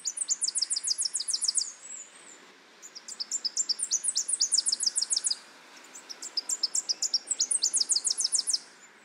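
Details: Tennessee Warbler singing a high, rapid three-part staccato song, "ticket ticket chip chip sit sit sit", of chips that speeds into a final run, given three times with short pauses between.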